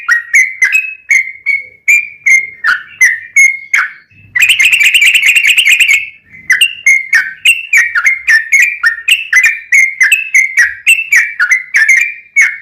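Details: Yellow-vented bulbul in rapid ropelan-style song with ngelituk and straw-headed-bulbul-like phrases, used as a master for caged birds: quick run of short whistled notes dipping and rising, broken by two dense buzzy trill bursts mid-way.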